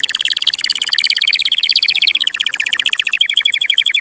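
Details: Strong canary song for mating, a dense unbroken high trill of rapid pulses that shifts pitch and texture midway into a faster rolling series.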